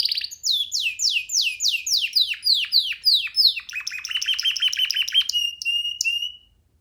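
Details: Young canary perched on a person's hand and singing freely: loud descending whistled sweeps in quick succession, then a dense trill, a flat whistle, and a few sharp high notes.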